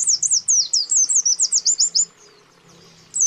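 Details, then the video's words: Rival-calling by male and female white-eyes, used as a lure. A steady, fast run of about thirteen high, zigzagging chirps is followed by a brief quiet gap and a final note. "Terapi PANCINGAN PLECI JAHAT jenis apapun AUTO RESPON"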